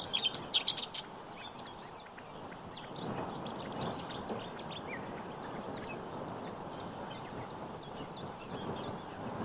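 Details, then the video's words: Black-winged stilt recorded in spring, 15 April 2023, at the Séné nature reserve, Brittany, France: a loud burst of rapid yelping notes in the first second, then scattered fainter high calls over steady low noise. "ÉCHASSE Blanche/Himantopus himantopus/Printemps !"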